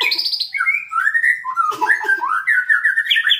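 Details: White-rumped shama being trained for a fighting mentality: a continuous warbled phrase of quick rising and falling whistled notes, shifting between mid and high pitch with little pause.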